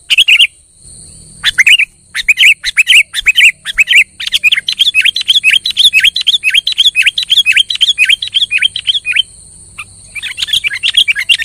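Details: Kutilang (sooty-headed bulbul) in energetic gacor song, played to provoke a quiet kutilang into singing; rapid runs of short, bright, downslurred chirps about two per second, brief pauses, steady high electronic whine behind.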